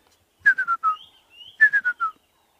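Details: On a sunrise safari drive on a Monday morning, August 1, a Woodland kingfisher gives two quick phrases of four harsh, slightly buzzy, down-stepping notes, with a thin higher whistle between them; Woodland Kingfisher.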